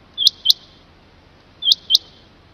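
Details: Loud, close Rain quail doublets: two sharp whistled notes in quick succession, then the same pair again about one and a half seconds later, with little background.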